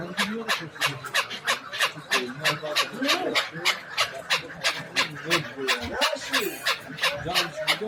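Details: Hybrid chukar partridges at the Zarafshon bazaar in Dushanbe, Tajikistan, give a fast, steady run of sharp, clipped chuk notes, nearly three each second, while men talk in the background.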